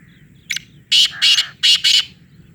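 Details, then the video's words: Black francolin, known locally as kala teetar, calling loudly: one short thin note, then four harsh, grating bursts delivered in quick succession over about a second, over a faint low rumble. "kala Teetar ki awaz black francolin loud voice"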